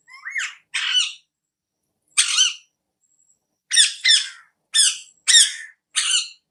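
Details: Parrot recorded on an iPhone, giving harsh, raucous squawks with a rich, grating tone. About eight separate calls come singly or in quick pairs, with short silent gaps between them. No other clear sounds.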